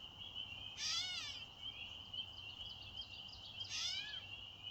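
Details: On May 1, 2024, a catbird gives two drawn-out, down-slurred mewing calls, cat-like and almost baby-like, about three seconds apart, over a steady high insect drone.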